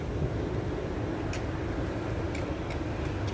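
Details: Steady low vehicle or train rumble with a few faint clicks, and no animal calls.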